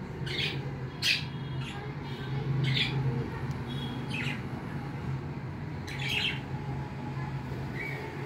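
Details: Pet cockatiels give short, harsh chirping squawks in bursts, over a steady low hum.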